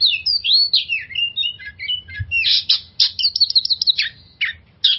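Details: Kept oriental magpie-robin song used to coax stressed birds into singing; loud, rich whistled phrases mixed with harsh buzzy bursts and quick trills, delivered in a continuous varied stream over low background hum.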